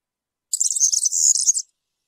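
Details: One compact phrase of European serin campero song, roughly a second long: a very high, rapid, glassy jangle with a briefly steadier buzzy note in the middle, surrounded by silence.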